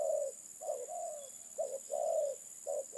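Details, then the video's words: Low mellow cooing of a spotted dove, called terkukur, alternating quick short notes with longer smooth coos, accompanied by a constant high electronic whine. "Burung terkukur"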